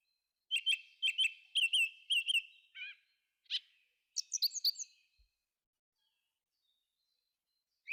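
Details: Forest thrush song made of quick high chirps in clusters, a few short slurred whistles, then a final burst of bright sharp notes before falling quiet.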